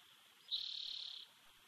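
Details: Bald eagle nestling left alone in its Big Bear nest, June 2019, nest-camera recording: a thin, sustained high whine starting abruptly and quavering gently for roughly 0.7 seconds before fading into soft background noise.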